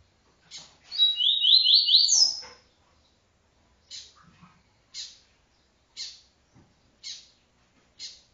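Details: Double-collared seedeater giving an encarte song of the TuiTui style: a bright phrase of fast, stepped, rising buzzy notes, then a high slurred note, followed by five short sharp chips spaced about a second apart.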